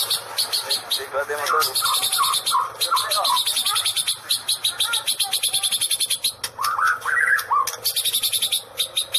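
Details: Shama singing in a rapid "electric strike" style: a steady stream of high, buzzy, stuttering pulses with short looping mid-pitched whistles woven between them, the pulses continuing for several seconds.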